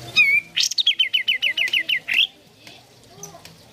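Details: Sooty-headed bulbul song used to provoke caged birds into singing: a clear whistled note, then a fast run of about ten bright repeated chirps ending in a rising slur, with faint background noise.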